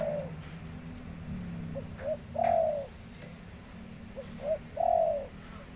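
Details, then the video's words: Spotted dove calling in a mellow, hollow voice: quiet clipped notes leading into a longer sliding coo, the phrase repeated twice at a steady pace, with faint background noise. "Suara Derkuku"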